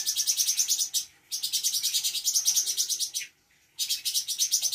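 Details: Captive spotted cucak cungkok from Bandung, mimicking other birds; long, fast, high rattling trills of evenly pulsed notes, broken by brief silences.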